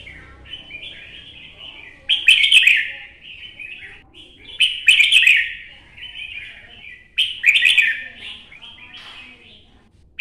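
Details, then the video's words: Wild-caught adult red-whiskered bulbul from the forests of Quang Nam, Vietnam, kept as a cage bird, singing three bursts of rich, warbled, chattering phrases roughly every two and a half seconds, with quiet gaps and faint lower twittering between. "CHÀO MÀO | Bổi già rừng Quảng Nam"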